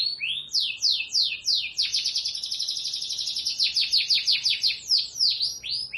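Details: Local canary singing, a fast rolling trill of rapid repeated notes, sweeping phrases opening into a long dense buzzing roll and ending in a few rising slurs, with no pause throughout.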